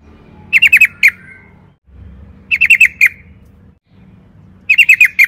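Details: Sooty-headed bulbul phrases repeated about every two seconds, each a tight cluster of four quick chirps closing with a louder falling note, meant to prompt other bulbuls to sing; low rumble underneath.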